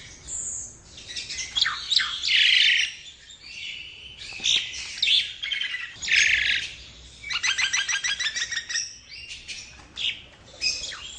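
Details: Nias hill myna singing for a tutor or lure recording: a long varied medley of loud harsh squawks, short whistles and quick pulsing rattles, rising and falling in loudness.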